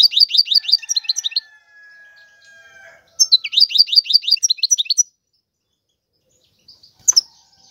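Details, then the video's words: European goldfinch singing: two bursts of rapid, slurred twittering notes that sweep downward, each burst about one and a half seconds, separated by a pause with a faint, steady low whistle, then a short sharp chip near the end. "تغريد الحسون هو اجمل صوت العصافير"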